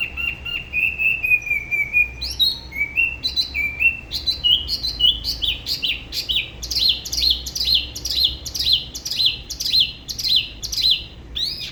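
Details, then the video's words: Spot-throated babbler from Dalat, La Ba river, Vietnam, singing a long solo in a regional style: a drawn-out level whistle, then varied rising notes building into a regular series of sharp slurred notes about two per second. "Tiểu mi La Bá hót solo/ Spot-throated Babbler the best solo La Ba river"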